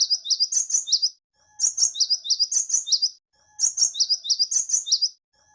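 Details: Great tit voice meant for luring wild birds: dense runs of piercing, high chirps descending in pitch, grouped in phrases of about a second separated by brief silent gaps.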